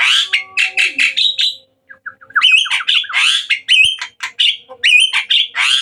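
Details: Hybrid Asian pied starling singing lively at night: loud, squawky, chattering notes delivered in quick bursts, with short gaps between phrases.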